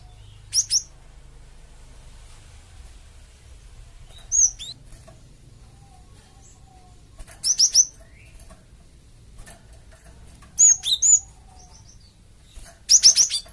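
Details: Java sparrow calling as a lure to provoke flocked birds into replying, giving short clusters of two or three piercing high chirps about every three seconds, with quiet gaps between the bursts.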